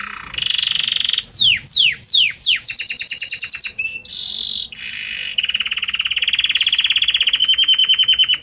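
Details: Harmonious Belgian canary song, each note evolving into the next: a buzzy start, several sweeping slurred notes, rapid high pulses, a short clear whistle and buzz, then a long, even, rattling trill.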